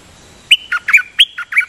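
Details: Dok taeng decoy bird repeatedly doubling its song: a longer burst of about seven sharp, chattering notes, some paired closely together, bright and slightly harsh, with a low hiss underneath.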